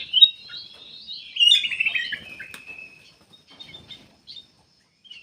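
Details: Black-capped bulbul singing as a lure for other birds: a quick burst of high chattering warbles for about three seconds, trailing off into faint scattered chirps and near silence.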